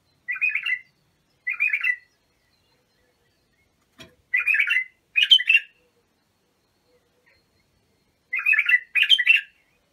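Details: Bulbul song played to coach young bulbuls: pairs of short, fluty warbled phrases separated by pauses of several seconds, with one sharp click in the middle.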